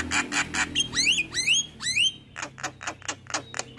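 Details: Javan myna singing loudly in a master recording full of fill-in phrases: harsh pulsed notes, three rising whistled sweeps about half a second apart, then rapid buzzy pulses repeated steadily.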